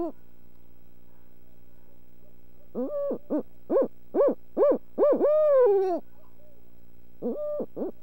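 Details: Barred owl calling at dinner time on March 14: a brief hoot, a pause, then a run of five short, evenly spaced, mellow hoots leading into a long, drawn-out hoot that slurs downward, with two quick hoots at the end, in a quiet indoor setting.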